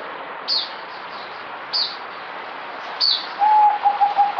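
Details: Zebra dove (merbok), recorded 08052020, gives a short run of soft, staccato low coos near the end. Thin high chirps from another bird sound three times against a steady hiss.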